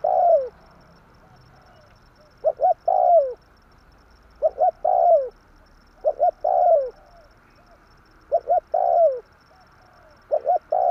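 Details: Spotted dove lure call for trapping: repeated phrases of two quick hollow notes and a long drawn coo dropping in pitch, about every two seconds, five phrases in all.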